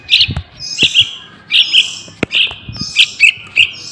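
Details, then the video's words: Juvenile yellow-vented bulbul lure calls: buzzy, slurred chirps in small groups, with hissing overtones and a few sharp clicks or taps in the background. "Suara Anak Burung Trucukan | Pancingan Pikatan Trucukan Liar"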